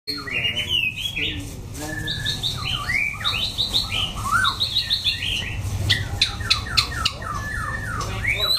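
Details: Wild-style forest song of an orange-plumaged white-rumped shama: varied clear whistled phrases, rising and falling slurs and quick chips, delivered in a rich continuous stream, over a steady low hum.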